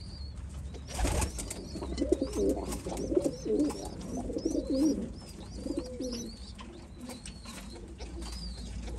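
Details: White homing pigeons in an enclosed space, low throaty coos rolling in short bursts through the middle seconds, with thin high squeaky chirps repeating above and a loud thump near the start.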